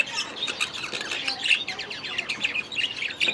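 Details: Grown-up baby budgerigars in their first days in a new aviary; dense overlapping chirps, warbles and short squawks from several birds throughout.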